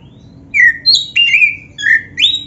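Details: Black-breasted oriental magpie-robin song played to prompt caged birds to sing: five clear, loud whistled phrases, some falling and some rising, separated by short gaps, against quiet background hiss.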